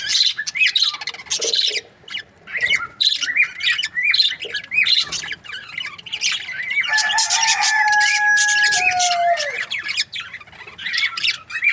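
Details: Budgerigars kept as breeding pairs: bursts of scratchy chirping and looping whistles for several seconds, then a long, steady, slightly falling tonal squeal lasting about three seconds over softer chatter.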